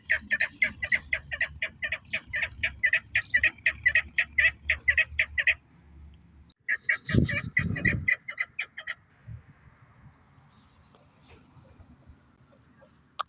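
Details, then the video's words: Chukar partridge giving a fast run of harsh, clucking chuck notes, about two a second, breaking off and resuming after a brief low rumble. "Kiklik Voice Sound Shikari chakor ki awaz"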